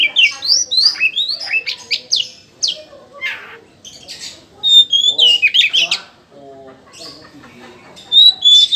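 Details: Oriental magpie-robin, a kept bird, singing vigorously: quick sequences of upward whistled slurs and rasping chirps, a short pause, then renewed bright whistles, with faint low murmuring in the gaps.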